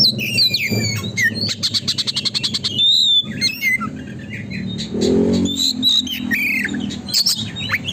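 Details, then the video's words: Oriental magpie-robin in energetic, nonstop song used as a lure to make a magpie-robin open its tail: sharp whistled notes, rising and falling slurs, and a rapid run of even ticking notes, over a low steady hum. "burung kacer gacor konslet,pancingan agar kacer buka ekor"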